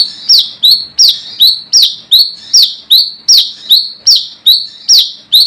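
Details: Wild brown-throated sunbird calling rivals, a lure call: loud high whistled notes that drop and buzz, repeated evenly almost three times a second without a break.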